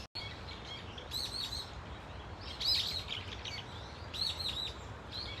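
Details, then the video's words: A Brown-eared Bulbul flock at Dunsan Grand Park calls in separate bursts about every one to two seconds: sharp looping squeals, with soft background noise between them. "직박구리 무리 다양한 울음소리 Brown-eared Bulbul sound of crying"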